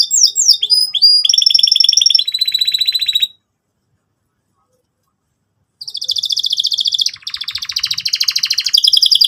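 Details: Vigorous canary song in the cuit cuit style, used to teach young canaries: quick falling whistles, then steady rapid trills, a long silence, and a return of fast, rolling buzzy trills.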